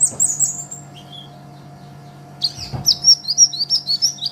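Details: Sunbird, locally called Kolibri Ninja or Konin, a green-type bird kept as a master recording for training songbirds, gives high thin squeaky chirps, a pause, then a fast run of sharp twittering notes over a steady low hum.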